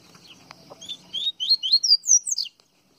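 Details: Double-collared seedeater, Baiano song style, Pernambuco, Brazil: after faint low background noise, a quick sequence of about eight bright slurred whistles rises steadily in pitch and ends with a falling note.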